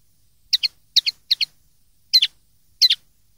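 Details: Common linnet song for teaching young linnets to sing: short doubled chirps, twittery notes at high pitch, five paired bursts in quick succession with brief pauses, clean background.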